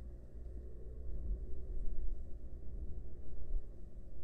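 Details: Only a muffled low rumble, swelling and fading, with no animal voice heard.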